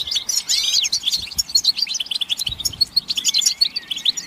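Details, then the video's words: Goldfinch group chatter with mating and readiness calls, used to encourage males to sing; quick sweeping whistles and tinkling twitters mix in a busy, rhythmic flow. "بتبتة الحسون تحفيز الحسون على التغريد والهيجان علاج صمت الحسون goldfinch stimulation"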